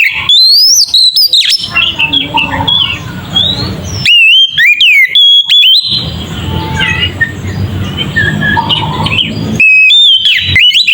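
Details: Oriental magpie-robin song used as a lure to provoke other magpie-robins: loud, varied high whistles and sharp buzzy notes in bursts, alternating with stretches of mixed lower, noisy chatter.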